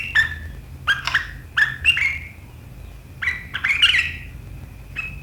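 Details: Sooty-headed bulbul, 7 April 2023, sharp riwikan style: a string of short slurred notes in quick pairs, a pause, then a busier cluster of bright notes and one final call.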